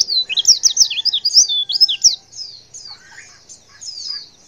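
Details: Female white-eye calling to draw a response from males: a fast burst of high, thin chirps and twisting whistled notes for two seconds, then softer, scattered high twitters with a brief lower note.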